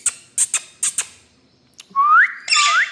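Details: Pet Indian ringneck parakeet with clicking, scratchy ticks followed by two loud upward-sweeping whistled calls with harsh overtones.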